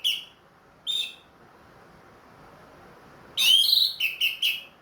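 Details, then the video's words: Orange-headed thrush kept in a cage, singing often again after moulting, in the open 'plong' style: two clipped whistles a second apart, a silence, then a rich burst of four ringing whistled notes. "MERANGSANG ANIS MERAH BUNYI PLONG"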